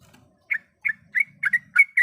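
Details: Calling female yellow-vented bulbul, in breeding condition and calling the male, gives a few short, bright chirps at rising intervals over a faint low background hum.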